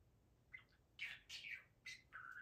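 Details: Budgerigar, a pet male, excited indoors while doing flips on command; a few short bright chirps and a buzzy warble with a person's voice just before.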